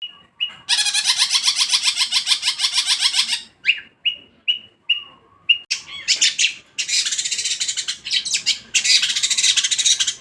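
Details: Caged long-tailed shrike in song, loud and ready to perform: a long harsh buzzy rattling phrase, then short clear whistled notes repeated about once a second, followed by more scratchy buzzing bursts.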